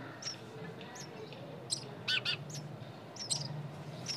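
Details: Soft high chirps from nestling birds, with a brief louder double call near the middle, over a steady low background hum.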